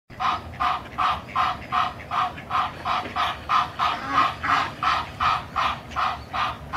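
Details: Egyptian goose in a backyard huffing loudly to drive off mottled ducks, its partner joining with honks: a steady run of harsh, huffing honks, about three per second, over a faint low rumble.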